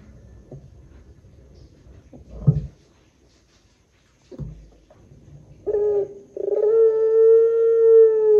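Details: Barbary dove, long 'pelung' coo used as a lure call: bumps and handling noise first, then a brief clear note and a long, level, sustained coo to the end.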